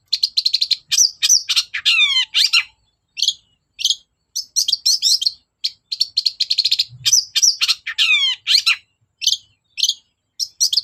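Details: Long-tailed shrike singing as a lure: a rapid, varied warble of chattering notes mixed with sweeping falling phrases, with brief pauses between bursts.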